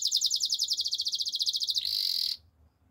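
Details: Canary in song: a long, fast, even trill of high notes that shifts into a brief harsher buzzing roll and then stops abruptly, leaving near silence.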